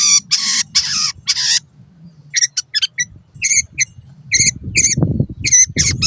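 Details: Long-tailed shrike master recording for training caged birds: three broad harsh rasping notes, then a pause and a run of short sharp repeated chirps, over low background rumble.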